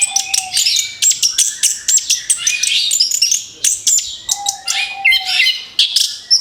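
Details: Orange-headed thrush in rapid-fire song used to lure other birds: a fast, continuous run of very high twitters, clicks and squeaky trills in pulsing bursts, with a faint hum underneath.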